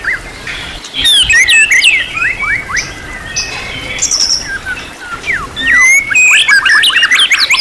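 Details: White-rumped shama, or murai batu, in a tutor recording of champion-class song packed with material: loud, varied whistled slurs and chattering notes in irregular bursts, separated by brief quieter gaps.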